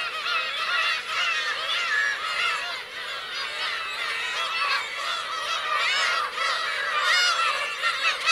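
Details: Black-tailed gulls, parents with chicks, at the Kurosaki coast of Teuri Island, Hokkaido, Japan, 17 June 2021: a dense, continuous chorus of overlapping nasal, wavering mewing calls from many birds, with no pauses.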